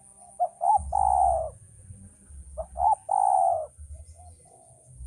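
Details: Male spotted dove used as a training recording for bird keepers: two cooing phrases, each a few short soft notes leading into a long, even, mellow coo, about two seconds apart, over a low hum.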